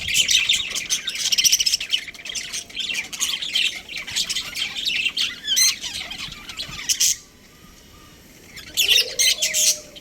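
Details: Budgie breeding pair chattering in fast scratchy chirps and squawks for about seven seconds, then near silence, then a final short burst of high chirps.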